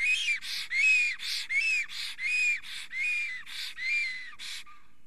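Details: Trembling, excited male black stork at a forest nest in Estonia as a female approaches, late-April morning 2020. Wheezy arched whistles alternate with hissing breaths, ending in a fading, lower whistle.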